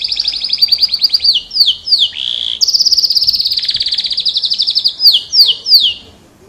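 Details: F1 canary in full song, a fast run of descending slurred whistles broken by a low rasp, then a sustained buzzy trill and further downslurred notes.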